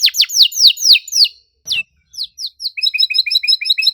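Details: Canary singing a tight 'cuit cuit' lure song for stalled birds: a row of loud downslurred chirps, a brief pause with faint knocking, scattered sweeps, then a quick bouncing two-pitched trill.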